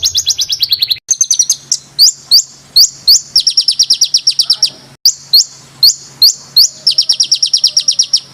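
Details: Bird song edited for training competition songbirds, described as a tight, rough rolling song: fast high trills, then sharp rising whistled notes repeated in quick bursts, with short cut-off gaps between phrases.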